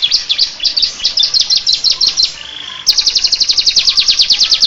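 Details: Canary doing a Bar-winged prinia imitation: a run of rapid high chirping notes, a brief soft pause, then a loud, fast, even trill of bright repeated notes.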